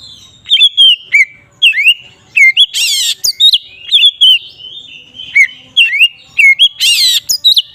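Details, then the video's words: Oriental magpie-robin singing "ngeplong" to provoke others of its kind: repeated sweet whistles, each swooping down then up, broken twice by loud harsh scratchy rasps. "Suara burung Kacer ngeplong ini paling ampuh untuk pancingan Kacer agar emosi"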